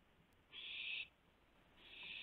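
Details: Owl at a nest site at 4:09 AM on 4 May 2016, food brought and eaten inside; one sustained raspy hiss followed by the start of another.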